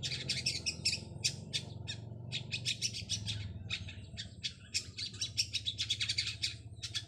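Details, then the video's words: Long-tailed shrike of the 'trotol' style calling to find a rival: a continuous stream of fast, scratchy, rasping notes with brief breaks, over a low background hum. "cendet trotol satu titik cari lawan"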